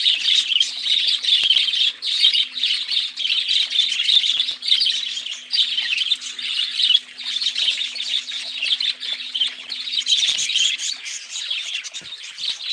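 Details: Budgerigars warble loudly in pulsing bursts of scratchy, high chirps and squawks, while a faint steady low hum runs underneath most of the recording.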